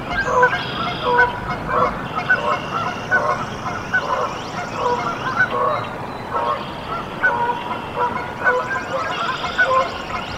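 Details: Canada geese at a nest in Decorah, Iowa, where goslings hatched on 14 April 2024, honking in a steady, overlapping chorus of nasal calls several times a second over a faint background hiss.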